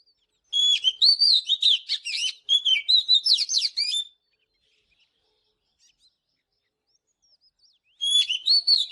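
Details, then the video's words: Oriental magpie-robin singing in the morning: a rapid run of sharp, bright whistled notes and trills for about three and a half seconds, a pause of silence, then the song starts again. "เสียงนกกางเขนบ้านหรือนกบินหลาขี้ควายใต้ Chòe than HÓT SÁNG"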